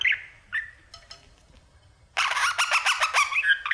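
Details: Pet budgie, male, at his mirror: a few short squawky notes and clicks, then a loud dense burst of rasping chattering warble.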